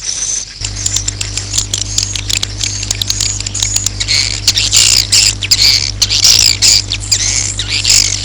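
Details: Swiftlet roosting call, played to attract swiftlets to roost: many overlapping sharp chirps and rattling twitters that grow busier toward the end, over a constant low hum.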